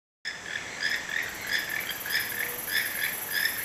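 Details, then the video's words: Wild toucans calling beside a hotel porch in Santa Fe, Panama: a steady series of croaky, frog-like notes, roughly one and a half per second, over a constant high insect drone. "Wild Toucans singing"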